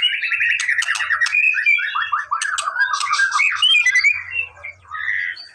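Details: Song of a White-rumped shama aimed at provoking a response: sharp clicks over a run of descending warbled whistles, then softer scattered notes toward the end, with a faint low hum.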